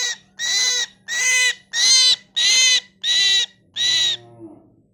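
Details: Myna calling in a quick series of six harsh, rasping notes about 0.6 seconds apart, each bright and buzzy, the last fading into a soft low tail before silence.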